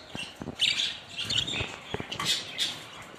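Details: Budgerigars giving high, thin chirps and short squeaky whistles in loose clusters, with scattered low clicks and knocks in the background.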